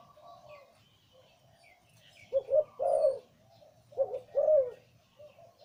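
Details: A breeding male zebra dove with a big, deep voice sings in the Liw Tan style, giving soft lead-in notes then two strong phrases of rolling coos, with light chirping of other birds behind.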